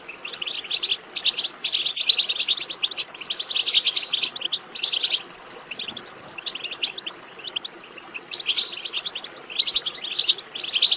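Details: European goldfinch twittering song (بتبتة), played to stimulate goldfinches to sing: dense, rapid, high tinkling and buzzy chatter in bursts of one to two seconds, with short quieter gaps and a softer stretch in the middle.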